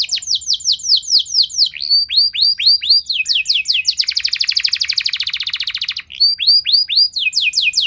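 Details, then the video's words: Canary song used as a lure to get other canaries singing: loud, long phrases of rapidly repeated swooping whistles, then a fast buzzy rattle, and back to looping whistles. "Pancingan Kenari Nembak Panjang Keras"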